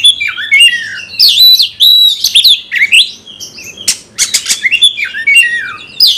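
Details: Kept Oriental magpie-robin in full song to provoke fighting: sweeping whistled notes rising and falling, buzzy harsh phrases and clicking chatter, loud and continuous.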